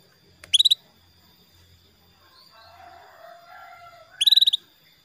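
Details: Female canary calling to a male, used as a lure recording to encourage males to sing; two short bursts of rapid, bright, high-pitched chirps about four seconds apart, with faint background noise between.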